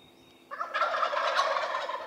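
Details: Wild turkey in early spring in Rhode Island, a faint tonal note then a sudden loud rolling gobble of fast gurgling pulses lasting over a second.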